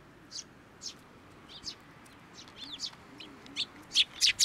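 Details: Sparrows flying onto a hand to be fed at a Tenmangu shrine on 10 June 2024: short high chirps, spaced out at first, then crowding together and growing louder toward the end, over a steady low background hiss.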